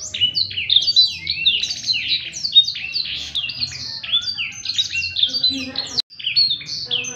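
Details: Continuous gacor ngerek song of a Blackthroat, suited for song tutoring: fast streams of high, sharply falling chirps and twittering phrases with hardly a pause, one brief dropout near the sixth second.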